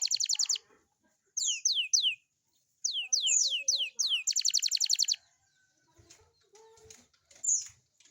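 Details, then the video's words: Morning song of a young canary, meant to stir young canaries to sing. Short buzzy trills and triplets of descending whistles alternate, followed by a longer trill and quieter scattered chirps. "kicau kenari paud di pagi hari cocok buat pancingan kenari paud"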